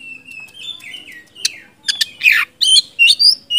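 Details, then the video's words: Provoked white-rumped shama sings a thin sliding whistle followed by harsh scratchy bursts and loud chirped notes, loosely repeated in quick succession. "kacer gacor ngeplong,kacer macet bahan langsung nyaut emosi dipancing kacer satu ini"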